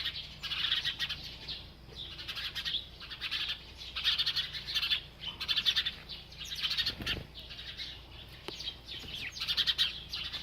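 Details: A bird chirping steadily while eating: bursts of dense, high, twittering chirps about one second long, repeated every second or so with short pauses, over a constant low background hum.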